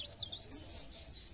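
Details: Pare-pare bird lure sound, meant to stimulate other pare-pare birds to sing: a quick run of high, thin twittering notes that sweep up and down over about a second, with a faint low hum beneath.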